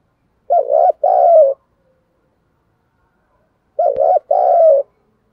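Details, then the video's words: Spotted dove giving thúc gù coos in giọng thổ voice, meant to stir up wild doves: two double-coo phrases about three seconds apart, each a short hollow note then a longer falling one, a single click between them. "tiếng chim cu gáy THÚC GÙ giọng thổ"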